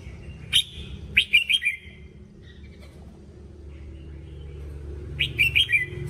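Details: Red-whiskered bulbul voice-training song: two quick bursts of bright, bubbly warbled notes, each about half a second of rapid rising and falling whistles, separated by a quiet gap of several seconds over a low steady rumble.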